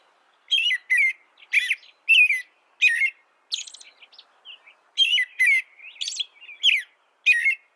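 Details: Canary singing bright, high chirped notes in short bursts roughly every half second, with a brief quieter warbled stretch midway before the clear repeated notes resume; no other sounds.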